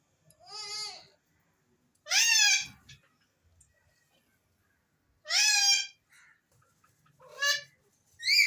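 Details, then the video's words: Alexandrine parakeet: four loud harmonic whistled calls with sharp pitch sweeps, spaced one to three seconds apart, separated by near silence, with faint low rumbles indoors. "Alexander Raw Parrots Talking and different Whistles"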